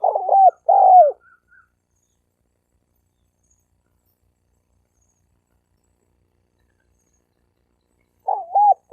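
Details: Wild male spotted dove calling in a fighting challenge, 2020: one paired coo phrase opens, a few faint soft notes follow, then long quiet before another stuttered double coo begins at the end.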